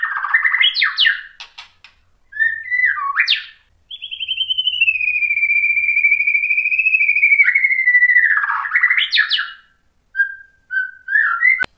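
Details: White-rumped shama singing to provoke other shamas: sharp, rising twittered bursts around a long, sustained, gently wavering whistle, then more chatter and a few short whistled notes.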